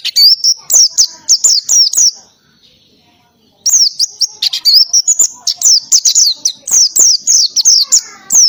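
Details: Oriental white-eye singing loudly in ngalas style with canary-type volleys: long, almost nonstop runs of high, quick, downward-slurred whistles, broken by one silence of about a second and a half.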